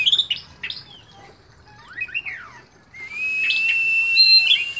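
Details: Oriental magpie-robin in full song, chattering while spreading its tail: clear whistled notes and slurred down-sweeps, then a long, steady, ringing whistle overlaid with scratchy, chattering notes.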